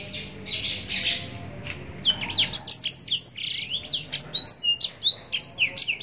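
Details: Yellow-rumped serin opening with a buzzy, rasping passage, then breaking into a rapid stream of high, sharply slurred whistled notes that continue to the end.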